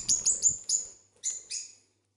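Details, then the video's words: Pet cobalt lovebird, singing and talking with its owner, gives a quick series of shrill, high chirps, four clustered notes, a gap, then two longer scratchy squeaks, with faint human voice at the start. "Talking Lovebird Singing Agapornis Cobald"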